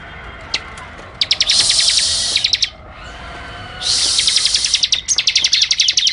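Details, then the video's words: Bar-winged prinia singing actively for birdkeepers' tutoring: long bursts of fast, high, rattling ticks merging into a buzzy, sizzling trill, a short pause, then another extended run of rapid repeated notes. "masteran suara ciblek gacor"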